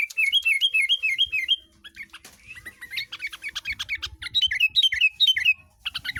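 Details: Tame, hand-reared caged sooty-headed bulbul from Tegal, Indonesia, in full song with a shrike-like flavour: rapid repeated upslurred whistles, then a jumbled chattering stretch with a clatter, then another quick series of descending whistled notes.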